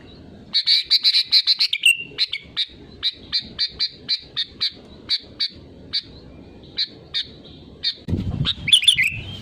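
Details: Sooty-headed bulbul's real, lively voice used as a lure to get other birds singing: a fast chirpy warble, then a long series of short clipped notes about four a second, some gaps, ending in a busier tangle of notes.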